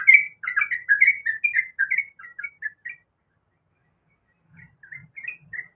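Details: Female sooty-headed bulbul calling to the male, a fast run of bubbly, warbled whistled notes for about three seconds, then a pause and a few softer answering phrases, with faint low thumps beneath.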